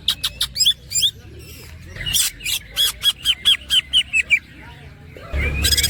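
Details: Greater green leafbird (cucak ijo) song in ngerol platukan and ngekek style: a few sharp chirps and twisting whistles, then about ten clear, evenly spaced ringing notes, ending in a noisy rasping burst.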